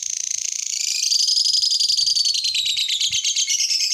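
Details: Lovebird singing to prompt other lovebirds to join in: a fast, continuous chattering trill of high buzzy notes, rapidly repeated and growing louder after the first second, with faint low thumps beneath.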